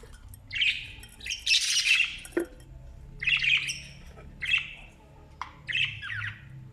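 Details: Australian parrot chicks begging while being fed by their parents: harsh, buzzy squawking bursts in clusters of about half a second to a second, separated by short pauses, with a faint low hum beneath.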